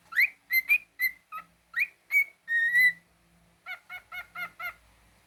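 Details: Pet cockatiel giving several sharp rising whistles and one long steady whistle, then a quick series of six short buzzy, harsher notes at an even pace.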